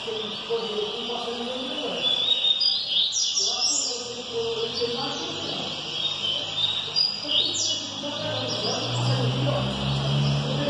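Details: Bahia-type double-collared seedeater taken to a singing-competition circle to be tested, giving bright, high chirping phrases in quick bursts with sharp sweeps and twitters, amid other birds, people's voices and a steady hum.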